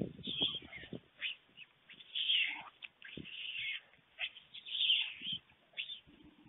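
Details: White stork nest in Fohrde, Germany, 21 July 2019 at 1:45 p.m., as the adult male brings a late lunch to two storklets. Harsh, hissing bursts come in repeated rough phrases, with low knocking thuds between them.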